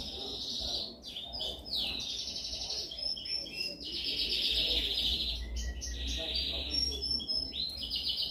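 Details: Canary song used for training, heard as a continuous run of high, buzzy trills and rapid chirps, sections shifting every second or so, over a low steady background hum.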